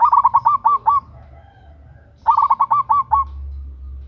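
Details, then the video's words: Local zebra dove, female, calling to a male in a loud, vigorous lure call: two bursts of rapid stuttering coos, each about a second long, separated by roughly a second of quiet. "Perkutut Lokal GACOR Suara BESAR - Pancingan bunyi"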